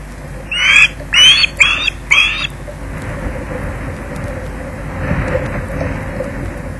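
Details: Young osprey at a nest at Loch Garten, 15 August 2011 around 11.35, flying in screeching to grab a fish from its father, captured on a live internet feed; four harsh, rasping screeches in quick succession, then steady wind rumble.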